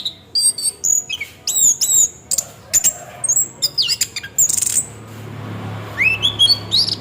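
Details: Orange-headed thrush ngeroll song, a lure to prompt singing: dense strings of high piercing whistles and quick slurred notes, a quieter gap with low rumble, then rising sweeps and stepped whistles.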